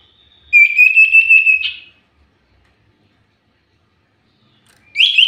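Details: Common iora, singing hard for a lure track, gives a shrill pulsing whistle trill for just over a second. A brief buzzy flourish closes it, and after a long silence a new high phrase begins.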